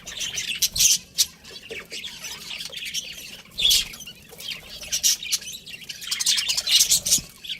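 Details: Budgerigar breeding pair kept as pets, giving sharp high chirps in irregular bursts, loud spikes near one, three and a half and seven seconds, between softer warbling chatter.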